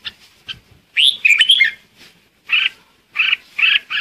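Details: Red-whiskered bulbul decoy bird singing to call the flock: short bright warbled phrases with rising and falling whistled notes, separated by brief pauses, several bursts in quick succession.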